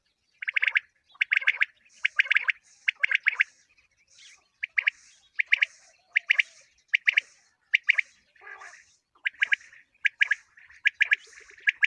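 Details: Common quail calling for quail hunting, a steady run of rapid triplet phrases of sharp clipped notes, about one phrase per second, with fainter higher squeaky notes between and no other noise.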